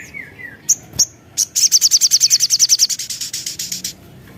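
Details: Javan cochoa (sogon) song in full voice, used to lure other birds into singing. Two descending slurred whistles and isolated sharp notes precede a long, fast, rhythmic series of high piercing notes that fades toward the end.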